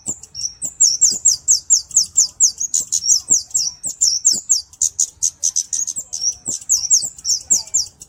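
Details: Cabe-cabean flowerpecker (Kemade) delivering a steady stream of piercing high chips, about two notes per second, each a quick downward flick, continuing almost without pause over faint background rumble.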